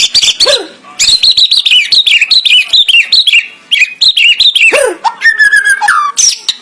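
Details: Murai batu (white-rumped shama) giving a vigorous 'full isian' song: high, rapid zigzag whistles in bursts, deep downward swoops, and a steady whistled note near the end.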